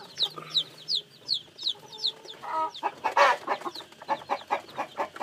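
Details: Shrill peeps from newly hatched chicks, sharp descending chirps, dominate the opening seconds. Louder, rougher chicken clucks then take over in a quick, pulsing series.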